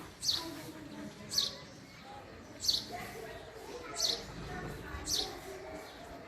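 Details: Male house sparrow calling: a short bright chirp repeated about every 1.2 seconds, five in all, over a soft background murmur that may be voices.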